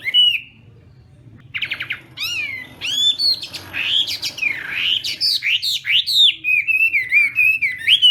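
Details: Chinese hwamei practising its morning contest song: a short whistle, a pause, then ringing upward-sweeping notes building into a varied, fast run of looping, slurred whistles.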